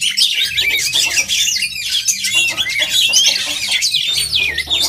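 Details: Songbird contest with oriental magpie-robins singing together: dense, high chattering and whistled phrases, scratchy bursts and sweeping notes running continuously.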